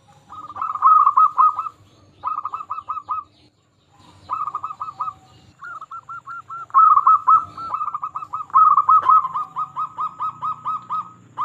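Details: Zebra dove, local Indonesian bird kept as a lure to stir quiet or stressed zebra doves to sing; repeated bursts of rapid, bubbling coos, phrases growing longer and steadier toward the end, low background rumble.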